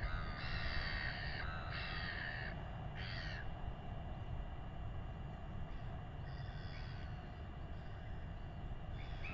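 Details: Royal albatross chick in New Zealand being fed by its father, around a weighing: nasal, harmonic calls, two longer ones in quick succession then shorter bursts, over steady low wind rumble.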